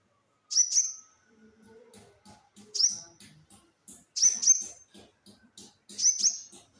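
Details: Olive-backed sunbird giving isolated bursts of piercing high chip notes, some doubled, about every one to two seconds. Faint low clicks and rustles run beneath.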